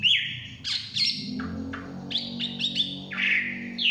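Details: Chinese hwamei in the forest mixes rough, harsh notes with short bright whistles, delivered in abrupt bursts with small gaps, over a steady low droning background.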